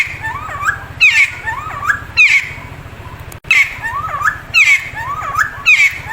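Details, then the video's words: Friarbird (cucak timor, timtim or cikukua) singing actively day and night. Ringing whistled phrases with bent, swooping notes and a piercing high accent recur roughly once per second, with a constant low hum beneath and one brief dropout. "Cucak Timor (Timtim/Cikukua) Gacor Siang Malam, Suara Nyaring & Natural!"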